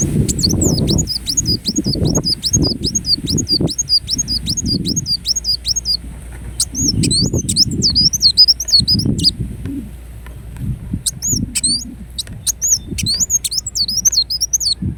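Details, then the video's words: Ruby-cheeked sunbird in Indonesia giving a fast series of repeated high, looping whistles for several seconds, then jerkier clipped phrases and sharp ticks, over intermittent low thumps. "Kolibri Wulung Gacor Dorr Bocor Corr"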